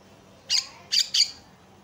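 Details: Javan myna (jalak kebo) masteran recording used as a lure so other mynas start singing: three harsh, raspy high bursts about a third of a second apart, the last two close together, over faint low hum.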